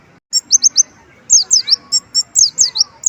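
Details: Olive-backed sunbird singing with imitated white-eye phrases: three sharp, high, downslurred notes, a short pause, then a lively burst of sliding whistled chirps that continues to the end.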